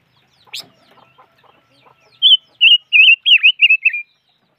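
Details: Five-coloured bird: one sharp chirp and faint ticks, then a loud, wavering whistled phrase of about six warbled notes, the pitch dipping midway.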